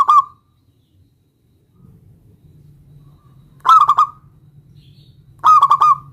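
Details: Song of a local zebra dove used to summon a rival into answering: a phrase cut off at the start, then two full bubbling phrases of rapid stuttered notes, with a low hum underneath.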